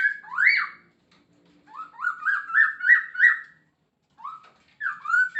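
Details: Masked laughingthrush whistling in a lively 'gacor full isian' song: a bright swooping note, then five rising whistles in steady succession and two final slurred phrases.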